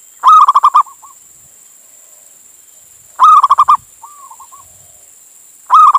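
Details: Local Indonesian zebra dove, a male calling a female. Its bursts of five or six quick, rolling, staccato coos sound about every three seconds, with softer short trilled phrases between them. A steady high hiss runs underneath.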